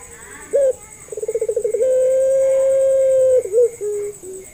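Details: Lure call of a puter pelung dove: a brief upturned note, a quick throbbing trill, then a drawn-out even coo lasting well over a second, ending in short falling notes.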